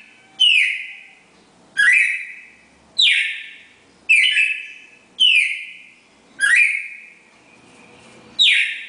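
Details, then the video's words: Classic four-note Bagé song from a pair of red-crested cardinals; seven bright whistled downslurred phrases with sustained tails, delivered at a steady pace of about one every second and a quarter. "Casal Cardeal 4 notas canto Bagé clássico"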